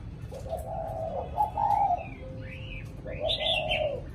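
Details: Spotted dove giving the cooing style called thổ cụ: low, hollow coos in drawn-out phrases, with a few rising and falling whistled notes from another bird above and a steady background murmur.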